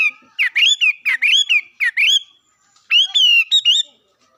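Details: Bird song in two bursts: rapid chains of bright whistled notes with sharp upward slurs, a silent gap of about half a second, then another swooping whistled phrase.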